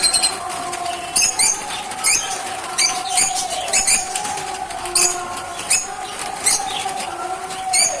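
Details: Lovebirds give shrill, high chirps in quick bursts about once a second over a steady mechanical hum; the owner says they chirp in the morning and start screaming as soon as they see him.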